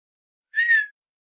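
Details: A male Redhead in Fort Erie, Southern Ontario, trying to get a female's attention, gives one nasal, cat-like meow, described as a quiet whistling sound, lasting under half a second, rising slightly then dropping away; nothing else heard.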